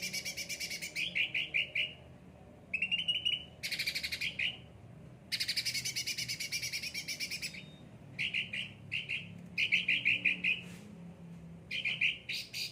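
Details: Cucak ranting, a well-cared-for and often pampered bird singing vigorously: bursts of rapid buzzy trilled notes alternate with harsh broadband rasping chatter, separated by short pauses, with faint low background hum.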